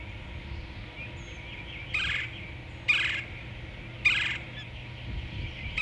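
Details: Osprey at the nest in Savannah, Georgia, on an afternoon in late March 2017: three loud, harsh, broadband calls spaced about a second apart, over a steady low hum.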